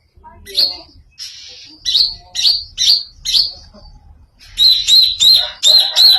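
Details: Odd greater green leafbird song: spaced, bright, slurred whistled chirps with one buzzy note, then a quicker string of sharp, high repeated notes at the end.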